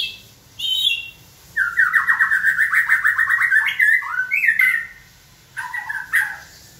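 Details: White-rumped shama urged to sing in training by human prompting: a short high whistle, then a long rapid trill of repeated notes lasting about two seconds, ending in scattered sharp calls.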